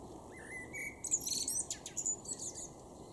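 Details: A male common blackbird in a garden in Weener, East Frisia, northwest Germany, in May 2023 gives a brief, lower fluted note, then a rapid burst of squeaky, high-pitched twittering over a steady background hiss.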